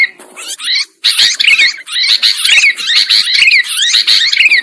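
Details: Trapping lure of sooty-headed bulbuls: a quiet opening, then dense, harsh chattering with sliding notes, building into a steady busy chorus.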